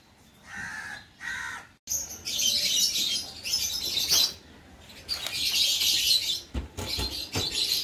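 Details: Lovebirds, a breeding pair in lutino, orange, sun and carnur colours, start with two short squawks, then break into continuous piercing high chatter in several loud bursts separated by short pauses, with scattered clicks.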